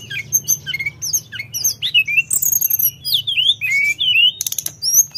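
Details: Sooty-headed bulbul singing actively: a busy, varied run of thin high whistles, slurred upward and downward notes and sharp chirps in quick succession, with short buzzy rattles near the end and a faint low hum beneath.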